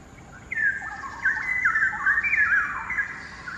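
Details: Straw-headed bulbul, endangered, singing from a hanging branch at the far side of a Singapore quarry, echo boosting the volume: after a brief pause a sudden rich, gurgling warble of sliding whistled notes runs continuously.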